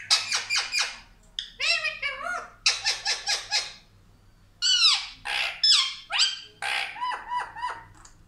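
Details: A talking Indian ringneck parakeet that says 'mummy papa' gives bright, harsh, chattering syllable runs, some rising and falling like words, separated by short pauses over a faint hum.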